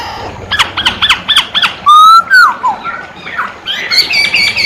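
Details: Masked laughingthrush (poksay hongkong) singing gacor. Five quick stacked harsh notes come in a row. Two loud ringing whistles follow, one falling, then scattered squeaky twitters.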